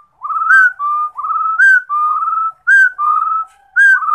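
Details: Singing rufous-throated partridge giving paired whistles, a short rising note followed by a longer level one, roughly one pair per second, four pairs, clean and loud against silence.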